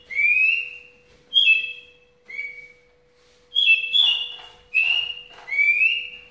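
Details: Caged Javan bush lark with spaced, clear whistled notes, some rising and some level, given in short bursts separated by gaps of about a second, in the 'ambulance' song style.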